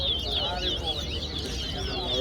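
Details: Towa-towa seed finch song during a bird competition at Guyana National Stadium: quick, looping high whistles and twittered trills running together, with a judge counting aloud and low crowd rumble behind.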